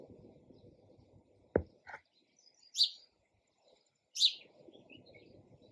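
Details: Sparrow chirping: two sharp, high chirps spaced about a second and a half apart, with a low rumble of background noise and a brief knock early on.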